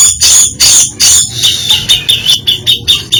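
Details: Grey-cheeked bulbul pouring out an isian song: several loud broad harsh bursts followed by a fast series of short piercing chips, roughly three per second, climbing slightly.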